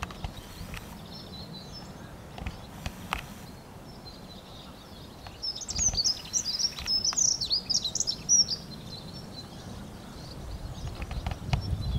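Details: A dunnock (Prunella modularis) sings a fast, high, clear, scratchy warble with no trills, lasting about three seconds, over a quiet low rumble and a few faint distant chirps.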